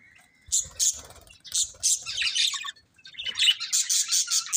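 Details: Budgerigar chatter: repeated high chirps, then a scratchy warbling passage and a fast run of pulsed, buzzy notes toward the end.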